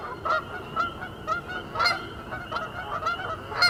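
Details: Canada goose giving clipped, loud honks, each a brief bright note with a slight upward tail, spaced about every half second to second, with a thin steady high tone in the background.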